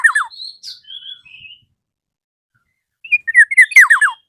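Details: Black-naped oriole calling a rival: a few falling slurred notes, then a series of soft level whistles, and after a pause a loud rapid burst of downward-swept notes.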